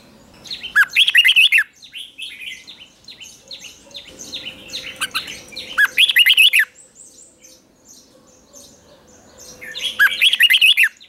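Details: Morning training song of a red-whiskered bulbul: three loud, dense bursts of rapid warbling notes about every four to five seconds, with softer chirping and chatter filling the gaps.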